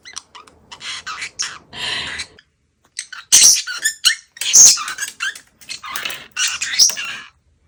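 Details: Pet parrotlet indoors giving a giddy, laugh-like run of squeaky, scratchy chatter and shrill high chirps in uneven bursts, with a woman's voice at the start and short pauses between bursts.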